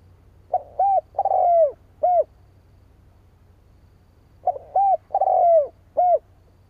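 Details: Spotted dove cooing meant to bring in rival doves: a pair of matching phrases separated by a pause of about four seconds, each of four coos with the third long, grainy and falling, over a faint low hum.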